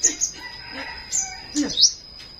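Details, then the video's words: Flowerpecker singing in the morning: short, very high, sharp chirps in scattered bursts, a few with quick downward sweeps, over a faint steady high whine and some softer lower sounds. "Buổi Sáng Google Maps Hệ Thống Nghệ Thuật Đam Mê Chim Sâu Hót"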